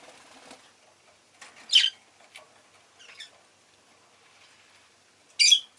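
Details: Rosy-faced lovebird with two loud, piercing chirps several seconds apart, softer scratchy sounds and faint murmuring noise in between.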